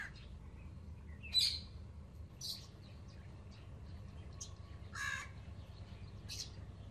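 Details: Baby Alexandrine parakeets kept as new pets calling with a series of short, grating, buzzy squawks at irregular intervals, some louder than others, against a quiet indoor hum with faint chirps.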